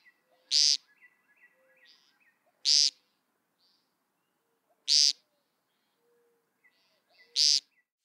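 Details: An American woodcock (Scolopax minor), a solitary woodland sandpiper, gives loud, buzzy, nasal peent calls, part of a spring display, one about every two to two and a half seconds, with faint chirps from other birds between them.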